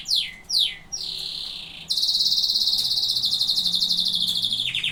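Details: Singing canaries: two loud downward-swooping notes and a short high buzz lead into a long, rapid, rattling trill at steady high pitch, ending with a few quick falling notes.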